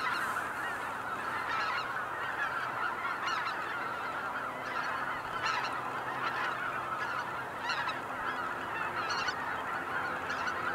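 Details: Cackling geese at Kejonuma, a lake in Japan: a flock giving many overlapping short honking calls, packed densely around the middle range, with brief higher yelps standing out every second or two over a steady murmur.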